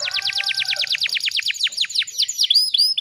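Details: Canary song with close-packed phrasing for tutoring: a quick run of steeply falling notes, about seven per second, slowing into sharper hooked chirps at the end.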